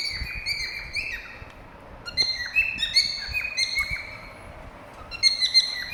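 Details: Whistling cockatiel calls: sharp high chirps and slurred whistled notes in irregular runs, a short lull near the middle, then renewed chirping.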